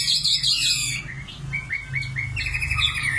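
A common nightingale sings a varied phrase: a dry, rattling opening, a run of about five rich slurred notes, then a rapid high trill, over a low background rumble.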